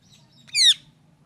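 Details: Loud parrot giving a single short harsh squawk, a bright falling screech, with a low hum in the background.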